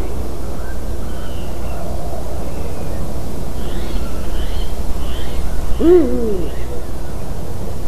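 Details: Eurasian eagle-owl in a white-tailed eagle's nest, 12 March 2019, 18:26: a single short, low, arched hoot rising then falling midway through, over steady low wind rumble.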